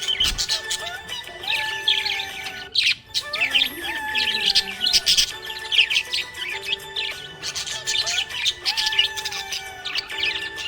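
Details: Happy pet budgerigars chatter in rapid, high, twittering chirps and warbles that run almost without pause, with a song playing steadily in the background.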